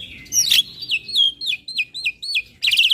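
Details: Black-winged myna singing to provoke rival mynas, nodding as it rolls: a series of clear whistled notes, each dipping downward, repeated about every quarter second, ending in a burst of harsh chatter.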